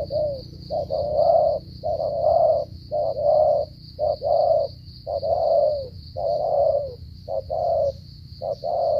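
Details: Spotted dove from Cà Mau, Vietnam, giving a long unbroken run of stuttering coos: quick short notes leading into warm, held low coos, about one per second, with a persistent high whine in the background.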